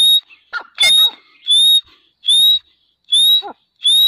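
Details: Grey partridge calling: high, sharply rising whistled notes with a grating edge, repeated about every 0.7 seconds, no other clear sounds in the background.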